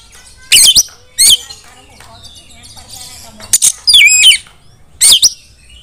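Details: Female white-rumped shama calling other shamas to sing; scattered loud bursts of sweeping, warbled whistles and sharp notes with quiet gaps between them.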